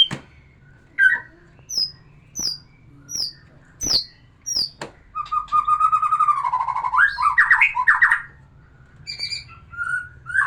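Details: Song of a white-rumped shama meant to arouse a breeding female: a series of sharp, high clicking ticks about every half second, then a long, loud, varied warble of fluty and scratchy notes, then soft whistles.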